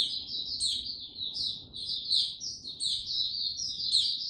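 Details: Male white-eye recorded 6 March 2022, building confidence slowly before opening into full song: a continuous, rapid, high-pitched twittering warble broken by brief sharp upward notes every half second or so.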